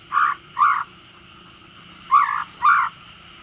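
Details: Male white-rumped shama giving aggressive crackling calls meant to rouse rival birds: two pairs of rasping, buzzy bursts separated by over a second of quiet, against a faint steady background hiss.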